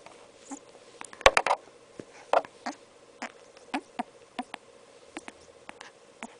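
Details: Pet Congo African grey parrot making soft baby noises indoors: scattered dry clicks and short ticking pops, one louder cluster of rapid clicks near the start, quieter taps spread irregularly throughout over a steady low hum.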